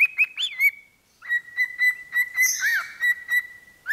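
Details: Parrot singing at a microphone: a few quick rising whistles, then a long sustained whistle broken by soft clicks, with a brief scratchy swoop midway.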